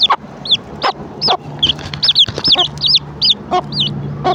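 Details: Hen calls her chicks at breakfast time, giving short, abrupt clucks roughly every half second. Many shrill rising-falling peeps from the chicks fill the gaps.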